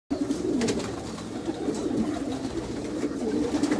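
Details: Meulemans racing pigeons kept in a backyard loft give a steady chorus of low, rolling coos, several birds overlapping, with occasional sharp clicks and wing flutters.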